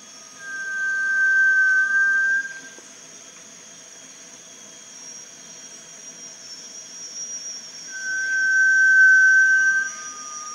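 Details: Two prolonged, pure whistles from a Malaysian rail-babbler, each about two seconds long and about six seconds apart, at Panti Bird Sanctuary, with a continuous high droning hum behind.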